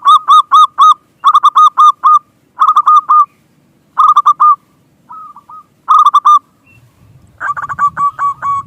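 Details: Local zebra dove in full song, used as a lure to get other doves cooing: bursts of four to six quick, bubbly, hooked coos, each burst separated by a short pause, with a few softer notes between.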